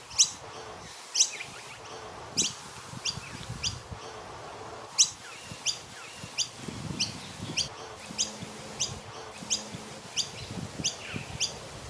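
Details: Noisy miner chirping in a tree in Australia in the morning: sharp, high chirps in irregular bursts roughly every second or two, with faint background hum and buzz.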